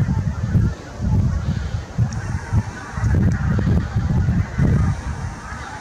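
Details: Large flock of geese recorded on 8 April 2021, giving dense, overlapping low honks in bursts roughly every half second, with a steady background hiss.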